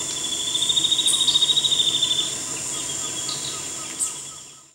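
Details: A Spot-winged antbird (Myrmelastes leucostigma) sings a quick run of about fifteen clear, even whistled notes that sag slightly in pitch, over a steady high insect drone.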